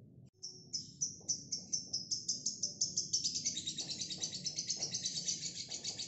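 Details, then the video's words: A female fighter lovebird opens with separate sharp high chips that speed up into a long, dense, rapid chattering ngekek trill lasting to the end. "Lovebird Singel fighter ngekek panjang"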